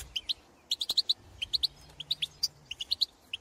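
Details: European goldfinches calling in the open countryside to birds of their own species: spaced, sharp, tinkling chirps in small clusters over a quiet background, with a low faint hum.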